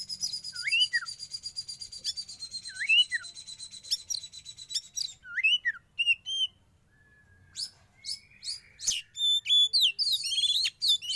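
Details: Sauna therapy session for a young wild Oriental magpie-robin: looping upslurred whistles repeated about every second over a steady rhythmic buzzing, then a lively sequence of sharp, high chips and warbles.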